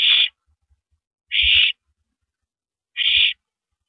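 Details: Male owl passing a rabbit to his mate at the nest at 9:14 PM on April 9, 2012; three harsh, hissy calls about one and a half seconds apart, with soft thumps under the second.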